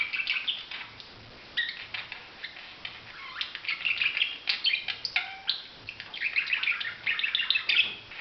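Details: Quieter budgerigar warbling of chirps and brief whistled notes in uneven phrases, separated by a short pause.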